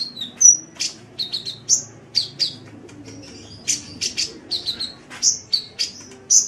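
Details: Sunbird song used to tutor songbirds, a lively stream of very high whistled chirps and short buzzy bursts, delivered in quick irregular succession throughout.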